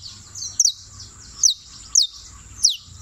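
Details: Canario criollo, a champion singer from Turbo, Antioquia, giving four bright downward-sweeping notes spaced about half a second to a second apart, with a faint continuous high hiss between them.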